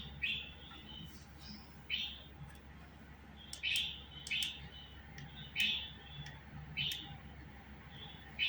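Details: Budgerigar chirping in a loose series, short bright notes sometimes doubled, with a few sharp clicks between them and a steady low hum.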